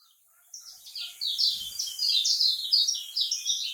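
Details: High, rasping chatter from a kecial kuning, the lemon-bellied white-eye typical of Lombok, swelling into fast overlapping buzzy notes against a light hiss.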